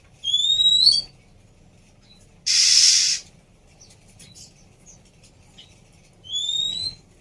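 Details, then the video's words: Whistles of a female Oriental magpie-robin for reviving a bird that stopped singing: two clear rising whistles with overtones bracketing a loud harsh hissing burst, with faint chips between. "Siulan Burung Kacer Betina Cocok Untuk Terapi Macet Bunyi"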